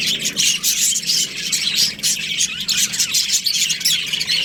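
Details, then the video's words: Rapid high squeaky chirps and scratchy warbling from an Australian budgerigar breeding pair, the chatter rising and falling in quick pulses. "Australian budgies breeding pair | Budgies chirping sounds"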